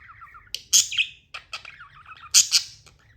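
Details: Short budgie outburst: a soft wavering warble breaks into two loud, harsh squawks about two seconds apart, separated by quick chirps and chatter.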